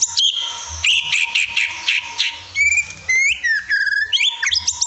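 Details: White-rumped shama song as a lure to prompt singing: harsh, buzzy chattering notes give way to clear, up-slurred whistles and quick varied phrases, with a faint continuous hum behind.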